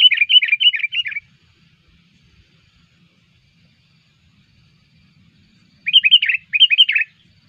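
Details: Vigorous sooty-headed bulbul song played as a lure: two fast bursts of rapid chattering, bubbling notes, each lasting about a second, separated by several seconds of near silence with a faint background rumble.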